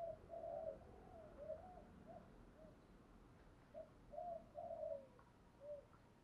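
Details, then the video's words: Spotted dove used as a decoy to draw wild doves, heard somewhat distant: soft, low coos in two grouped phrases separated by a pause, with faint background hiss. "Tiếng chim cu gáy thúc bảo đảm bổi nghe gáy liền, chim cu gáy mồi đảo bài liên tục"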